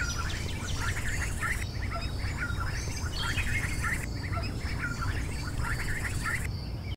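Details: Mallard ducklings about 6 hours old, hatched overnight in a nest in a backyard banana bush: near-nonstop peeping, many short high notes overlapping several times a second, over a steady low rumble.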